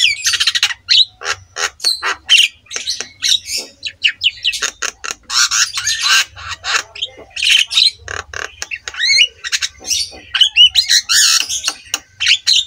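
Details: Black-winged myna master song for training other mynas: a long, dense sequence of harsh squawks, rasping chatter and whistled slurs in fast irregular bursts, with a low background hum.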